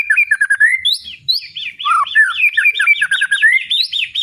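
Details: White-rumped shama singing a loud, dense ngeplong phrase: rapid sequences of rich slurred whistles and chirps, varying in pitch and running continuously without break.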